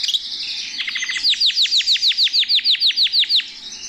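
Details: Canary singing while perched in a person's hand; a quick run of short sharp notes leads into a steady trill of about fourteen bright, downward-sweeping whistled notes, evenly spaced, about six per second, then fading.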